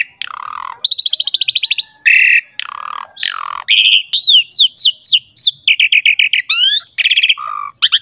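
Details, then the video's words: Lively Asian pied starling song played to young starlings to draw them into singing: fast trilled series, rasping notes, downslurred whistles repeated in quick runs, and a low buzz near the end. "PANCINGAN JALAK SUREN GACOR MOMPA FULL MATERI MEWAH UNTUK JALAK MUDA"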